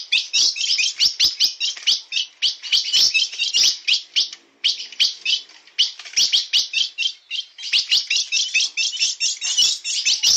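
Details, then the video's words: Song of a blue-black grosbeak of the bico de aço type, na pegada style: long runs of fast, high, chirping notes broken by brief gaps near four and six seconds. "Azulão bico de aço na pegada"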